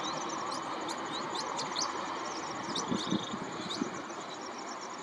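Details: Pin-tailed whydah (Vidua macroura) giving quick, thin, high chirps and short sweeping squeaks, several per second, over a steady low rumble like a distant engine.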